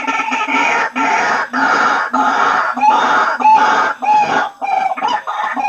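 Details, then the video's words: Lure recording of white-breasted waterhens. A loud, continuous chorus of harsh, overlapping croaking notes pulses in quick bursts with almost no pauses. "Suara Pikat Ruak Ruak Paling Ampuh"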